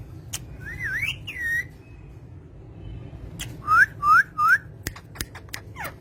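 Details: Pet green parrots giving a twisting whistled phrase, then three quick rising whistles in a row, with sharp clicks and taps scattered through the quiet background.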